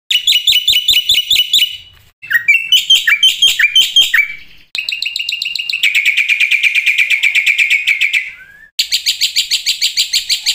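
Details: Black-winged starling song from a full fill-in training recording for cage starlings: spliced segments of sharp repeated chirps, a scratchy warbled phrase, a fast even rattling trill, then rapid high chips, with abrupt cuts between parts.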